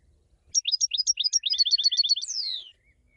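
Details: European goldfinch song: a fast, tinkling series of high paired notes, about four per second, speeding into a tight trill and ending in a long, slurred descending buzz; quiet background.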